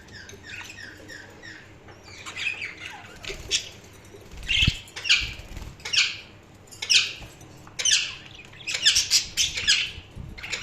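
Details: Budgies chirping: a busy chatter of short warbled chirps and squeaky twittering notes in bursts roughly every second, several birds overlapping, with faint rustling between phrases.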